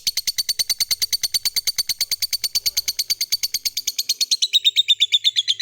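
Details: Long ngekek trill of a vocal fighter lovebird, used to draw song from other lovebirds: rapid, steady run of high piercing notes lasting over five seconds, the pitch sliding slightly lower toward the close.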